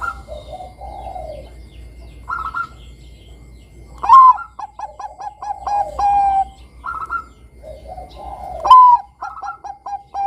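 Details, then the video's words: Zebra dove of Bangkok stock singing vigorously, used to lure young doves into song: two full phrases, each with soft warbling coos, then a loud rising note and a rapid sequence of short clipped coos. "Pancingan Suara Perkutut Bangkok Kutut Bangkok Gacor Manggung Bagus Buat Mancing Kutut Remaja Bunyi"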